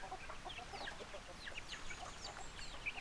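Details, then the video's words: Backyard chickens: a dense overlapping chorus of thin, high, sweeping chirps, many falling in pitch, over a soft steady background hiss. "Chicken Sounds, Backyard Chicken"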